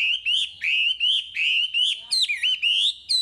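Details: Chinese hwamei singing steadily in 'gacor' style, played to stimulate untrained caged hwamei: rich, rolling whistled phrases, each rising then dipping, repeated rapidly. A tumbling, more complex flourish comes near the end.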